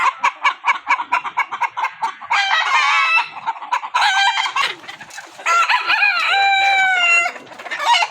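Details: Rooster clucking in quick, evenly spaced pulses, then crowing loudly three times in long harmonic phrases. The last crow is drawn out and dips at the end.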